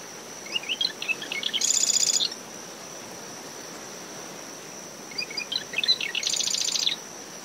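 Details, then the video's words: Marsh wren in early morning in dune shrubs around a nest, after tropical depression Claudette, in brisk wind near the high tide line: two songs of dry ticking notes running into rapid buzzy rattling trills, over a steady cricket drone, probably Gryllus. "Marsh Wren Calls"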